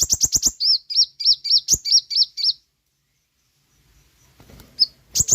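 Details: Sooty-headed bulbul song used as a training lure for caged birds: a fast run of sharp high notes flows into a string of arched whistles, then a pause and a few more thin notes.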